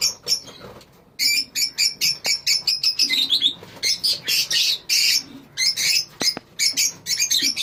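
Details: Lovebirds kept as a colony squawk in loud, harsh, high bursts, each call short and repeated quickly after a quiet opening second.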